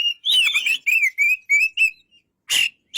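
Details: White-rumped shama giving a short sequence of smooth whistled notes, several similar slurred phrases in quick succession, then a pause and a single harsh burst.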